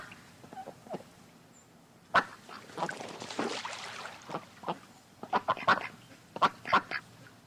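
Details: Ducks gathered beside a pond give scattered nasal quacks, broken midway by a rushing, splash-like noise lasting about two seconds, then louder clustered quacking resumes toward the end.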